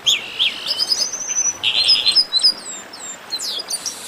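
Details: Chestnut-capped blackbird baderna: short, husky chirps repeated in quick succession, interspersed with thin, high whistles and a few sliding notes toward the end.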